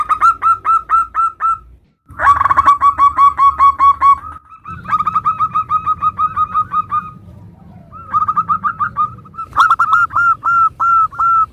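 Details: Local zebra doves in active song, varied phrases compiled to prompt other doves to answer: fast runs of short, hooked mid-pitched notes in bursts, broken by abrupt edits and a brief silence near two seconds, over a low background hum.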